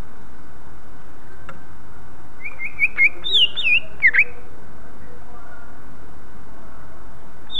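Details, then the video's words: A greater green leafbird gives a brief burst of varied, sliding whistles and chips over about two seconds against a steady low hum; its call is used to lure other leafbirds into calling. "Burung cucak ijo ini suaranya ampuh untuk memancing cucak ijo lain agar ikut bunyi"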